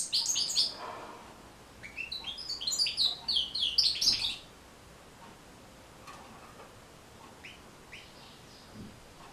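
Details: European goldfinch singing a four-second rush of tinkling, twittering notes, followed by near silence with a few faint chirps. The recording is meant to teach and encourage goldfinches to sing.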